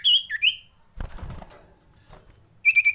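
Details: Common iora calling in fright: short swooping whistles, a burst of rustling noise, then the start of a rapid pulsed whistled trill.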